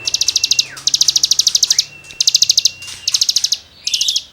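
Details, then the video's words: Cigun delivering tutoring song for songbirds: dense clusters of very fast, bright, stuttering high notes, some bursts nearly a second long, joined by long level whistles that slide downward. "CIGUNG GACOR FUL NEMBAK MATERI GESEKAN BURUNG KICAU"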